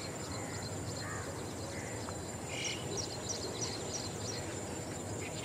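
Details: Green bee-eaters, up to three birds, give short, trilled, high notes every second or so, faint over a steady background hiss with soft high ticking.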